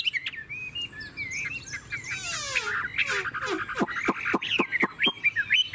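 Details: Chinese hwamei in a cage in Vietnam, said to have a long song with a forest-bird voice. Mixed whistles and rasping, buzzy passages, ending in a series of sharp downward-sweeping notes repeated about twice a second.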